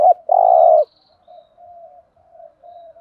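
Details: Spotted dove decoy calling to lure wild doves: a short rising note, then a long loud steady purring coo, followed by several soft low coos trailing off.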